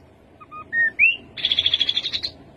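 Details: Rufous-capped babbler song: two quick soft piping notes, a short level whistle and an upslurred whistle, followed by a rapid, even trill of about a dozen pulses.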